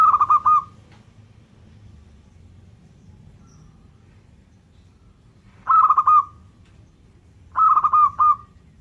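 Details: Vigorous local zebra dove song: three rapid, stuttering coo phrases, one at the start and two close together near the end, over a steady low hum.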